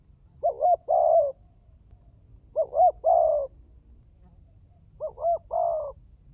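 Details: Spotted dove used as a lure: three identical phrases, each two brief hooked notes and a drawn-out purring coo, spaced about two seconds apart, with faint low background rumble.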